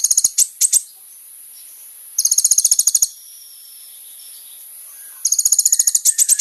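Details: Olive-backed Sunbird singing vigorously, recorded for use as a lure to draw a response from other birds: bursts of very high, fast, doubled trills about a second long, separated by quiet gaps of about two seconds.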